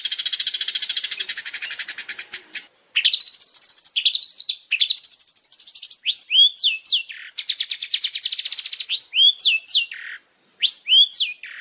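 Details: Long-tailed shrike song used as training material: long rapid rattling trills, then sweeping whistled notes rising and falling, mixed with buzzy chatter, continuous and loud.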